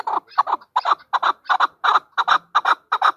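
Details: A female chukar repeats paired, harsh chuck-chuck notes about every third of a second in an even, insistent rhythm.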